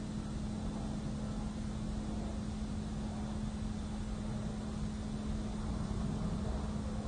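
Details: Continuous engine-like rumble with a steady low hum throughout, and no animal voice heard.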